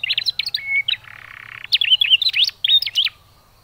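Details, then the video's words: Lure call of a young canary for prompting canaries to sing: fast sharp chirps and a short flat whistle, a buzzy stretch in the middle, then another burst of rapid high chirps before fading. "cui cuit, pancingan kenari paud"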